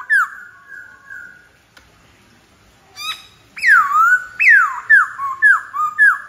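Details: Song of a White-browed laughingthrush: a wavering whistle, a pause, then a sharp note followed by loud descending whistled slurs repeated at a brisk, slightly uneven pace.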